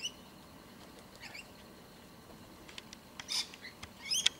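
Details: A young Australian magpie, heard nearby for weeks and being shown by adult minders where wild birds are fed mincemeat, gives faint, high chirps, then two short, harsh, raspy begging bursts near the end. The background is otherwise quiet.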